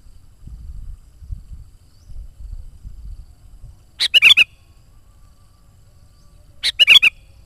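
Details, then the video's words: Sooty-headed bulbul singing for luring wild birds: two bright, bubbling four-note warbled phrases about two and a half seconds apart, with faint low rumbling beforehand. "SUARA BURUNG KUTILANG GACOR COCOK UNTUK PANGGILAN BURUNG KUTILANG LIAR DAN PIKAT AJARAN"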